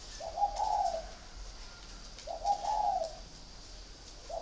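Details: Spotted dove kept in a cage cooing rhythmically: two full husky phrases about two seconds apart and the start of a third, each a short lead-in note followed by a drawn-out burring coo.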